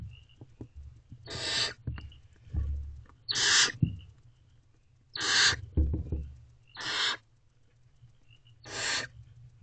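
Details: Barn owl family in a nest box, female feeding owlets at night in April. Five breathy, hissing screeches about every two seconds, faint thin squeaks between, plus scratching and thuds of moving birds.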